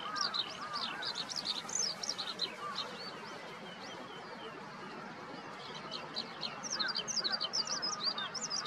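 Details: A Eurasian skylark in morning activity over vegetable plots beside a sports park on 15 May 2021 pours out a rapid, unbroken stream of high chirps, trills and twittering phrases, with a soft steady wind hiss underneath.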